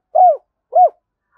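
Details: Spotted dove giving a 'gáy gọi hai hậu' calling coo, used to lure wild doves: two short, mellow arched coo notes about half a second apart, then a faint trailing note, with no other sounds.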